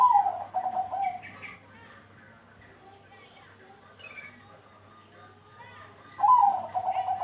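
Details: Vigorous cooing of a Bangkok zebra dove, used to stimulate others to sing: a fast run of stuttering low notes opens the clip and returns near the end, with faint bird chatter and a constant low hum between.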